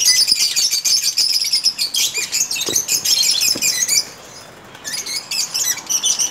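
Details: Caged lovebirds in a breeding colony setup chattering: continuous high shrill twittering and squeaky chirps for about four seconds, a short lull, then renewed sharp chirps, with a few light clicks.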